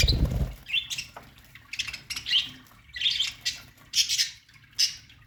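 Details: Colony of budgerigars singing in an aviary: repeated squeaky chirps and short chattering twitters in bursts about every half second, after an initial low rumble.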